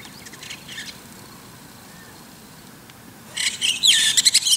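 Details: White-cheeked Starling singing in the morning from atop an antenna: a few faint scratchy chirps, a quiet pause, then a loud burst of harsh, squeaky chattering notes, with a soft outdoor hiss behind.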